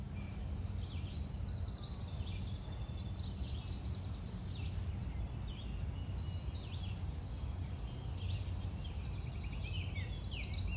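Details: Mallard ducklings with their mother give high, thin peeping in quick bursts of several notes, over a steady low rumble of wind or distant traffic.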